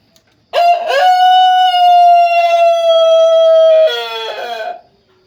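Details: A melodious kekok chicken crow opens with a brief rough rise, then holds one long clear note for about three seconds before ending in a shorter, wavering lower phrase. The background is silent.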